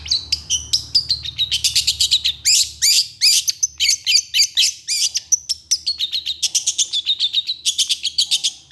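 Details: Long-tailed shrike, agitated and singing hard in response to another shrike type, pours out rapid harsh chatter: dense rattling bursts of scratchy notes, several per second, mixed with high squeaks and whistled slurs, almost without pause over a low hum.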